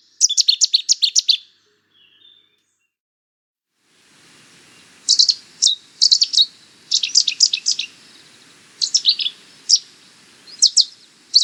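Cetti's warbler bursting into loud, explosive phrases of sharp, rapidly repeated notes, each outburst lasting about a second, with pauses between and a faint low rumble behind.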